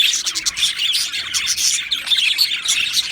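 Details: Australian budgies in a colony aviary, recorded 12 July 2025, making a dense, continuous high chatter of overlapping chirps and warbles from many birds at once.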